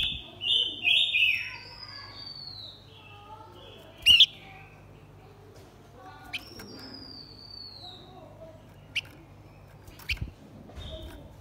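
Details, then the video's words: Male and female blue-winged minla giving a decoy lure song: a quick, jumbled run of bright warbled notes at the start, then thin drawn-out whistles that drop gently, with scattered clicks and brief chirps later. "Chim khướu lùn cánh xanh hót mồi kích bổi trống mái quá đỉnh."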